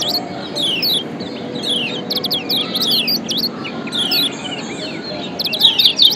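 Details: Lombok yellow white-eye (kecial kuning) lure combination for stirring quiet birds. Bright, sharp descending chirps come in clusters every second or so, quieter overall, building to a dense high flourish at the end over a low hum.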